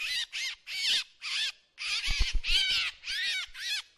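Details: Drongo uttering rasping, nasal calls in uneven bursts as a decoy sound. There is a short silent break, followed by several low thumps mixed in with the later calls.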